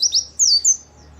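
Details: Short fragment of lively white-eye song for coaxing kept birds: four quick high, thin slurred whistles, the first two rising, the later ones gliding downward, then quiet.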